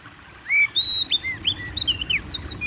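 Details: Oriental magpie-robin song used as a lure to provoke kept birds into singing: clear whistled notes, some rising and some falling, with short slurred phrases and sharp upswept chirps in quick, varied sequence.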